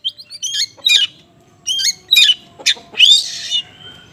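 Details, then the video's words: Oriental magpie-robin in the konslet singing style, with small-bird song material, used as a lure for unresponsive magpie-robins: varied high whistled phrases, trills and slurred notes in short bursts with brief pauses. "PANCINGAN KACER KONSLET MATERI BURUNG KECIL"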